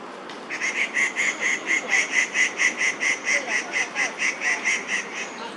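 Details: Crested goshawk in Daan Forest Park on an August 2022 morning with a young female nearby; a long run of about twenty clipped, regularly spaced notes, roughly two to three per second, above constant background noise.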